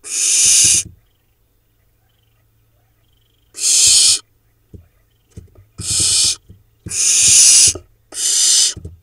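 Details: Young barn owls, four nestlings hatched from 8 June 2021, in a Hula Valley nest in Israel, filmed 7 July while preening: five rasping, snore-like hisses across nine seconds, a long silent gap after the first, faint scuffles in between.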